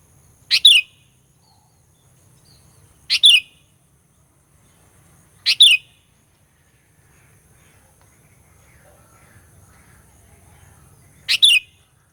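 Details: Sooty-headed bulbul provoking rivals with four brief two-part phrases, three fairly evenly spaced and a longer pause before the last, each a sharp note and falling whistle.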